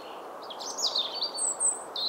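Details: A European robin in early April (9 April 2017, Vladimir, Russia) sings a thin, high, tinkling phrase of quick notes that jump sharply in pitch, over a steady low hum of background noise.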